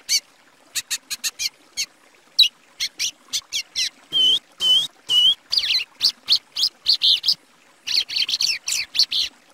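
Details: Plumbeous Seedeater, known in Brazil as patativa, singing a fast series of sharp high notes and short whistled phrases with some steady tonal whistles near the middle, notes grouped in rapid bursts with brief pauses.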